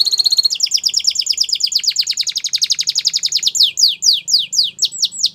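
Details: Canary singing, used to prompt quiet canaries to sing again: a fast, even trill of sharp descending notes that later slows into louder, widely spaced swooping whistles, about four per second.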